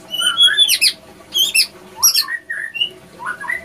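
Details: Prinia with an unusual voice, singing a fast, varied phrase of sharp chirps, slurred whistles and rising and falling notes in quick bursts, with quiet pauses between groups.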